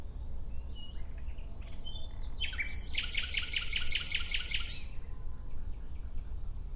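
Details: Clear, loud nightingale phrase: a few soft introductory notes, then a vigorous run of about ten rapidly repeated, chopped notes over two seconds. Quiet, distant whistles on either side.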